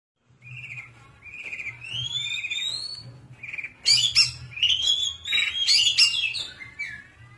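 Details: Long-tailed shrike song: drawn-out whistled slurs rising and falling, followed by loud harsh squawky bursts mixed with varied chirps, over a low steady hum.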